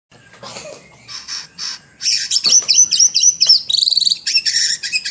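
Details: White-rumped shama singing vigorously. A few soft scratchy notes come first, then from two seconds a dense, loud stream of high buzzy trills and rapid chattering phrases.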